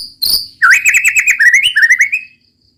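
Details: White-rumped shama song: a brief rattle, then a rapid series of clear whistled notes with sharp upward flicks, rising slightly in pitch over about two seconds.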